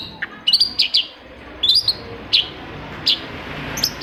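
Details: Long-tailed shrike singing for a lure meant to prompt quiet birds: short, clear, high whistled notes, some slurring downward, given singly or in pairs at irregular intervals over a light hiss.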